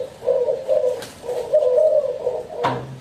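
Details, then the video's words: Close cooing of a spotted dove, two bursts of warbling low hoots separated by a short pause, ending in a sudden knock. "Spotted Dove Cooing"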